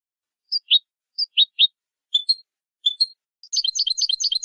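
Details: Malagueño song canary recorded for training young birds: spaced pairs of falling whistles and clipped chips lead into a rapid rolling series of notes.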